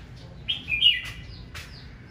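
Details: Red-whiskered bulbul giving aggressive morning duelling song to rouse males: one quick, rich, bubbling warbled phrase, falling at the end, then a short sharp note, over quiet background hiss.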